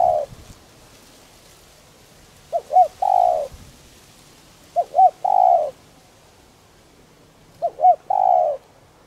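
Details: Decoy spotted dove of the 'đồng rặc' voice type, kept to stir wild doves into cooing. Three even phrases about two and a half seconds apart, each with two quick curved notes and then a drawn-out hollow coo. The surroundings are quiet.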